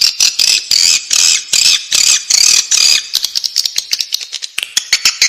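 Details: Swiftlet chicks in the nest: dense, high raspy squeaking bursts, continuous buzzy chatter for three seconds, then rapid clicking chirps repeated irregularly.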